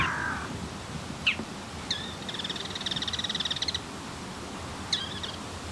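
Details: Male Bull-headed Shrike singing softly while performing a courtship display to a female: a few sharp high chirps, then a rapid, even, buzzy trill lasting about a second, and a final short chirp over a quiet outdoor background.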